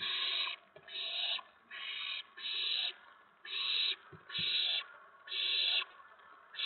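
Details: Owlets at a nest on the evening of April 19, 2017, while the adult owls bring in food. Rapid series of eight harsh, breathy screech bursts, evenly spaced under a second apart, over a quiet background.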